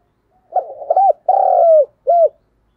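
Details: Spotted dove used as a decoy to rouse other doves, 2022: a rough, rolling opening coo, a long, steady, throaty drawn-out note, then one short rounded coo, all low and clear.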